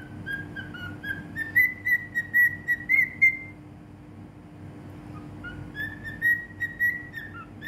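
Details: Cockatiel from Bahrain singing in whistles: a long phrase of bright, even whistled notes that rises gradually, a few seconds of quiet, then a second similar phrase, with a low steady hum beneath.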